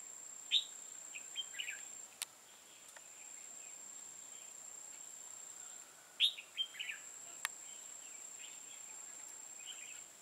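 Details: Decoy red-whiskered bulbul singing to challenge rivals at a trapping site; two separate bursts of quick, bright chirped notes about six seconds apart, sharp clicks and a constant high electrical whine behind.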